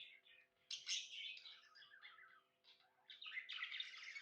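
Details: Happy tame budgie chattering: bright scratchy warble bursts and rising whistled chirps, broken by brief quiet gaps, with a faint steady hum in the background.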